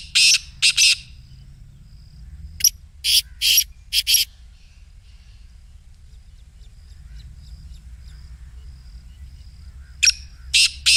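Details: Black Francolin giving its excited call, used to prompt a caged francolin to call in the morning: groups of harsh, grating, broadband notes in short bursts, separated by long quiet gaps with a faint high hiss.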